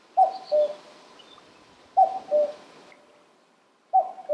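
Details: Common cuckoo at Senjogahara, Oku-Nikko, Japan, on 13 June 2022, giving its familiar two-note 'cuck-oo', a higher note falling to a lower one, three times at about two-second intervals.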